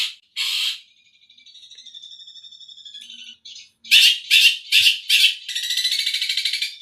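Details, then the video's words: Long-tailed shrike singing Tengkek Buto material: a harsh burst, a thin high trilled whistle, then loud rasping bursts in quick succession ending in a buzzy rattle. "Cendet materi Tengkek Buto mewah"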